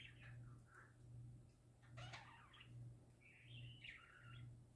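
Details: Singing parakeets, described as happy, give scratchy chirped phrases and a buzzy, rising squawk, then a longer wavering warble, with a pulsing low hum beneath.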